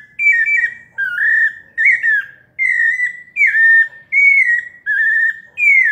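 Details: A Pale-breasted thrush (sabiá-parda) sings melodiously, a steady run of clear, slurred whistled phrases, each under a second, rising and falling, about eight in six seconds.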